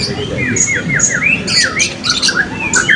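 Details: Blue-crowned hanging parrot at an open songbird sound-and-style contest, 2024, Balingian: thin, high squeaky notes and quick down-slurred chirps in a busy, uneven run, with a low murmur of voices and background noise beneath.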